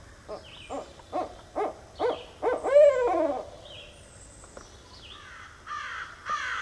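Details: Northern Barred Owl gives a steady series of short, low hoots ending in one long, descending hoot. Harsh caw-like calls from another bird follow, along with a few faint whistles.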